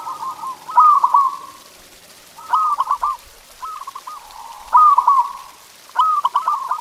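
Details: Local zebra dove (perkutut) song played to get pet doves singing; five bursts of vibrating, stuttered coos, some ending in a drawn-out rolling tail, spaced a second or so apart.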